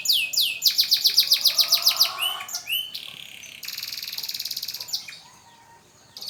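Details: AF canary practising its song after moulting: a quick series of loud downward-sweeping high notes, several separate chips, then a long steady buzzy trill that fades near the end.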